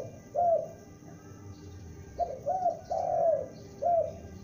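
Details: Spotted dove youngster used for luring, calling: one mellow coo, a pause of about a second and a half, then a quicker run of four hollow, slightly falling coos, one noticeably longer.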